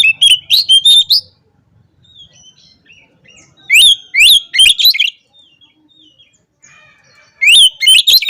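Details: Oriental magpie-robin in the ngobra song style, said to provoke rivals into spreading their tails: three loud bursts of varied, sharp, high whistles and rapid notes. Soft quieter warbles fill the pauses between bursts.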